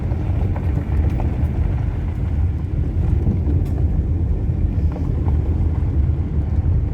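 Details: Steady low engine and road rumble from a car driving along the Waterfall Way near Ebor, loud and constant throughout, with no animal calls.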